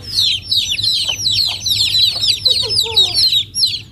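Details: Many chicken chicks peeping together in rural Noldang village: rapid, thin, falling cheeps crowd over one another without pause, while a soft lower cluck and a brief sliding note appear near the end.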